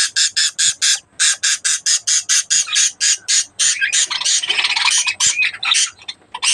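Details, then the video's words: Breeding budgerigars produce a fast train of harsh rasping calls at a regular beat, which blurs midway into a denser overlapping burst before the pulses resume. "breeding of budgies birds"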